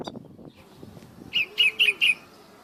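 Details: Bulbul singing outdoors in the morning, outside the cage: after a moment of quiet rustling come four quick, loud, liquid warbled notes, each a short downward-twisting chirp, evenly spaced over about a second.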